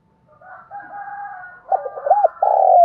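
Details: Spotted dove starting softly with low drawn notes, building into loud stuttered coos and a long, sustained final coo.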